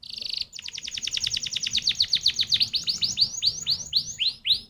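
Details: Singing canary used to coax other canaries into song: a brief buzzy note, then a long trill of downslurred chirps that speeds up and then slows.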